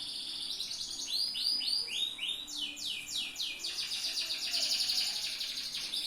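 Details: Yellow Atlantic canary kept as a tutor bird, singing loud repeated descending whistled sweeps in quick series, then a sustained buzzy trill, notes rolling about four per second.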